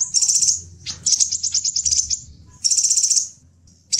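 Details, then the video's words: Lure and tutor recording of a crimson sunbird, known as kolibri delima or sepah raja, for attracting wild birds: sustained high, buzzy trills and rapid ticking chirps in three long bursts separated by short pauses. "Suara panggilan burung Kolibri delima, Sepah raja pikat dan masteran"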